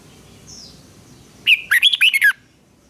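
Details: Red-whiskered bulbul duel singing for voice training: a long held whistle breaking into a quick run of bouncy, looping whistled notes under a second long, over a soft background hum.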